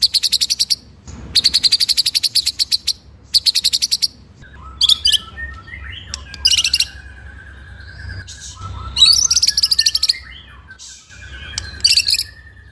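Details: Master song of a white-rumped shama for training other birds: bursts of fast, high buzzy trills alternating with softer, lower whistled phrases and scattered sharp notes.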